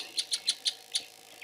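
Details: Grey-headed kingfisher in Meru National Park in January 2024, after weeks of rain, singing while dancing with spread wings, perhaps calling for a mate; five sharp, high, evenly spaced notes, then quiet.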